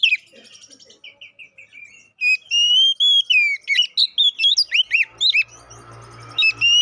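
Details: Oriental magpie-robin singing as a lure meant to make rival birds aggressive: soft notes at first, then loud sweet whistles, sliding phrases and sharp chips, over a low steady hum.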